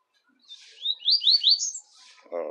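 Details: Double-collared seedeater singing in the tui-tui style: a short run of rising, whistled slurred notes climbing in pitch, followed by a man's voice at the end.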